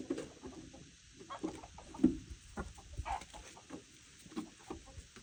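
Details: Peafowl coming for treats by a deck on a frigid 17°F winter day give soft, low clucks in short, irregular bursts, several a second at times, with quiet pauses and faint rustling.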